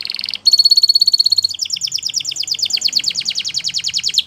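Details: Spanish Timbrado canary holding a pure, ringing metallic note for about a second, then breaking into a long, rapid rolling trill of repeated downswept notes.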